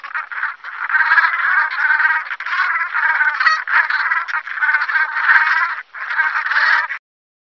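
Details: Brant goose (Branta bernicla), flock calls.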